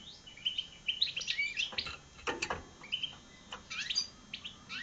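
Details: Hybrid of European goldfinch and red siskin giving quiet twittering song of quick chirps and short whistled notes, with some clicking noises mixed in.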